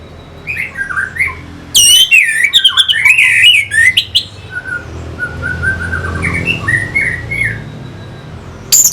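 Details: Orange-headed thrush singing, from Singaraja in North Bali, meant to provoke fighter birds: warbled whistles, then a loud rush of sweeping, squeaky high notes and chips, easing into soft level whistles.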